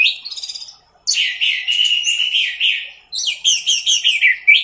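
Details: Teler-style orange-headed thrush tutor song for cage birds: a quick stuttering series of notes, then a sustained rich warble of tumbling whistles that continues after a brief break.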